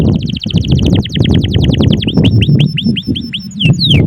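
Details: Singing canary used as a lure to get other canaries singing; rapid repeated trill of high sweeping notes, then slower rising and falling whistled notes about every quarter second, over a loud low rumbling background.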